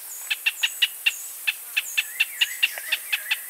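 Pinto's Spinetail giving a fast series of sharp, clipped notes, about four per second, over a steady high insect hiss and faint whistles from another bird.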